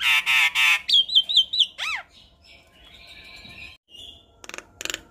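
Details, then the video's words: Asian pied starling giving harsh rasping squawks, a run of short whistled notes and loud upward swooping whistles, then a sustained buzzy note and two sharp noisy bursts; song meant to be played to young birds for learning. "Suara Khas Jalak Kebo Makun Gacor Sangat Cocok di Putarkan Ke Jalak Kebo Muda Untuk Masteran"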